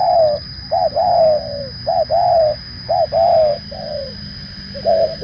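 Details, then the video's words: Clear spotted dove cooing for luring wild doves: paired phrases repeat about once a second, each a short note and then a longer, falling, slightly hoarse coo. A steady high-pitched electronic tone runs under the calls. "PEMANGGIL BURUNG TEKUKUR SUPER JERNIH"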